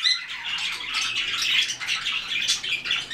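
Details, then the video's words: Group of white-faced cockatiels calling in rasping, overlapping squawks that swell and fade every fraction of a second, with one brighter, higher squeal midway. "Белолицые кореллы"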